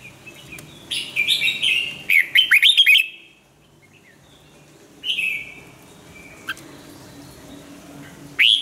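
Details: Red-whiskered bulbul singing for song training, a decoy bird: bright warbled phrases with a rapid burst of five sharp chirped notes, then quiet, a second short phrase near five seconds and a final note at the end.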